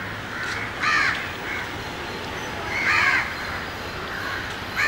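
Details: Male Asian paradise flycatcher, a noisy bird, giving sharp, harsh skreek calls: rasping bursts of under half a second, spaced one to two seconds apart, over a steady background hiss.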